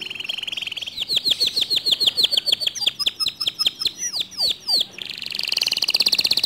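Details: Singing canary whose song is said to excite other canaries to sing along. Descending swept notes are delivered in a trill that slows and becomes choppy, then gives way to a dense, high, buzzy roll.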